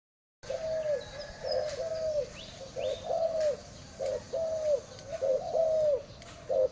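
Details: Spotted dove calling: a series of low, soft, downward-curving coos, roughly one per second, steady and unhurried, with faint higher chirps of other birds in the background.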